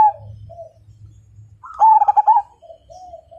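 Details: Perkutut, or zebra dove, of Majapahit stock gives soft low coos, then a loud throbbing phrase of rapid beats. A faint low hum runs underneath.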